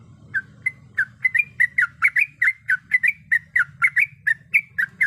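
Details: Female yellow-vented bulbul in breeding condition calling the male: steady, fast series of clipped chirps, some slightly upslurred, about four per second, over a low rumbling background.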